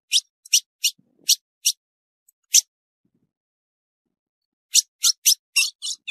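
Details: Female ultramarine grosbeak calling, a call used to excite males: short, sharp, high chips given in a quick run of five, a brief pause, then another burst of six or so, with nothing else heard.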